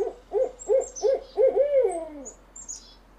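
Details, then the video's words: Owl hoots used to lure birds: a quick series of five wavering, mid-pitched hooted notes that speed up, ending in a drawn-out falling note and fading into faint background hiss. "Masteran suara burung Hantu untuk memikat burung"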